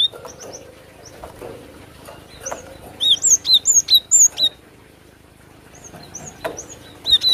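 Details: Cinereous tit song played as a lure for trapping birds: a clear series of about eight loud, high, two-part whistled notes in steady rhythm. Scattered softer chips and whistles come before and after.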